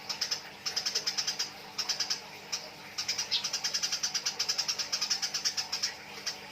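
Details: Quarrelling Eurasian tree sparrows make a long run of sharp, evenly spaced chirps, about five per second, in several bursts with brief breaks, over a soft steady hum.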